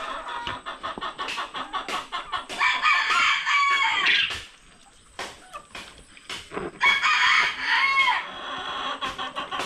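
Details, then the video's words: One of three two-month-old male bantam chicks gives short, scratchy, rising crows, still immature and uneven, amid clucking and sharp clattering background noises. "aquí, pues uno de los gallitos ya está cantando, imagínense."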